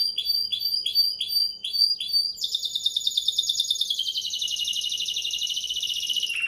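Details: A Timbrado canary sings several rhythmic falling chirps, then a dense, fast, metallic trill held for several seconds that drops sharply in pitch at the end.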